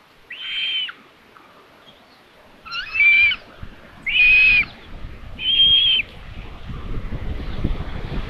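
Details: At a common buzzard nest in Tiszalök, Hungary, on 27 May 2022, the mother arrives with another chick as food. Four high, plaintive whistles, each under a second and roughly level in pitch, come at uneven intervals, followed by rising rustling noise.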